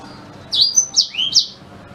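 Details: A black-throated canary gives a brief phrase of four bright, steeply slurred whistles, its song serving to tutor a white-rumped shama.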